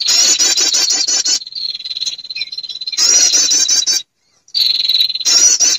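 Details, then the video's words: Lure recording of a female prinia calling males: a rapid, insect-like pulsing trill shifts into a long even buzz, and a second bout repeats the pattern after a short silence. "SUARA PIKAT PERENJAK BETINA memanggil jantan"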